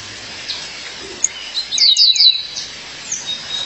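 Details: After quiet faint notes, a female Violaceous Euphonia seeking her mate lets out a quick cluster of three sharp high chirps, then softer tweets.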